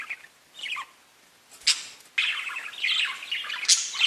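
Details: Parakeets chirping to one another: scattered soft chirps, a sudden sharp note, then a dense stretch of overlapping warbles and squeaky calls.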